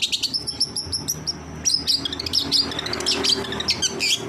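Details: Long-tailed shrike (cendet) training material, one-track style: a busy burst of sharp high chirps and quick varied whistled notes, tightly packed, with a faint low hum underneath.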